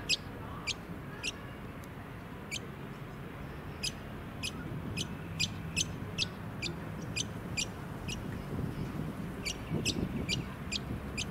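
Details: Brown honeyeater in a suburban area of the Sunshine Coast, Queensland, in May 2018: short, sharp, high notes sweeping downward, given in irregular runs roughly every half second, over wind and low suburban rumble.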